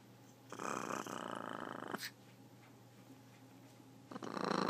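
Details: Captive blue-and-yellow macaw growls inside a room: a loud, gritty, broadband rasp lasting about a second and a half, a sharp click, then quieter hum before another rough growl starts at the end.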